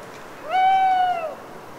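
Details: Owl calling alone at night in a Cévennes piedmont wood near Les Assions, France, after long autumn rain: one drawn-out tonal hoot, about three quarters of a second, rising slightly then sagging at the end, rich in harmonics, over soft dripping background.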